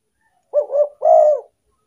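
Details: A single spotted dove phrase from a lure meant to attract wild doves: two short rounded coos run together, then one longer, slightly louder held coo that fades away; no other sounds.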